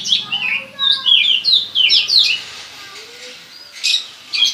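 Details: Salto-type Oriental magpie-robin copying a bar-winged prinia: a run of rapid, high chirps slurring downward, fading to quiet before two short sharp notes, with a low buzzing hum early on.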